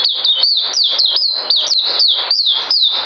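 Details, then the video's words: High-pitched white-eye song from 9 December 2018, the bird soon due for deworming: quick hooked whistles, each flicking up and falling away, repeated in an unbroken rapid stream with a tiny click midway. "Puteh Mousey Dragon Saber"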